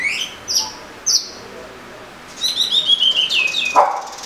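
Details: Oriental magpie-robin giving a few high whistled notes, then a run of quick trilled and sliding whistles ending in a short lower note.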